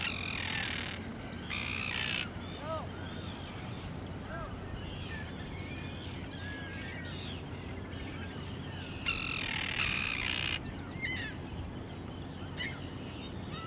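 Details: Arctic tern at Lake Ontario, Canada: rasping, grating calls in bursts, two close together at the start and a longer one near ten seconds, mixed with shorter sharp notes and a steady low rumble.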